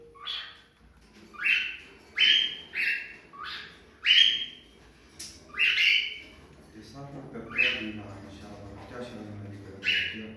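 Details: Female cockatiel sound for stimulating a male to mate: scattered sharp rising whistles, some paired, spaced unevenly over several seconds above a low murmuring background.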